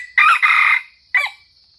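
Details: Red junglefowl from Sumatra, crow used to lure wild birds: a harsh, broken crow in two bursts, a long rasping phrase followed by a short clipped ending, over a steady thin high-pitched whine.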